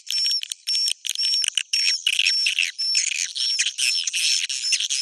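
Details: Swiftlet roosting call called Bhayangkari, an irregular busy mix of squeaky chirps, short clear whistles and buzzy twittering bursts with uneven gaps.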